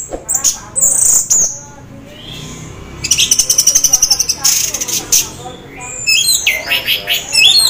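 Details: Orange-headed thrush, half in breeding condition, in full varied song meant to draw other thrushes into singing: sharp high notes, a fast rattling trill of about two seconds, then quick choppy chirping phrases.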